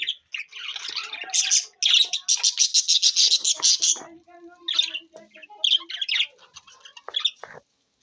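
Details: New budgerigars recorded June 11, 2024, giving dense, high, scratchy warbling chatter with rapid squawky notes, busiest in the middle seconds, then breaking into scattered chirps before falling silent near the end.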